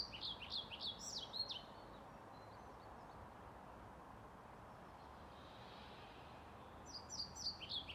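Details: European pied flycatcher in Sundsvall, 15 May 2019, singing near a retirement home: a burst of high, rapidly repeated down-slurred whistles, a long quiet stretch with steady background hiss, then the phrase returns near the end.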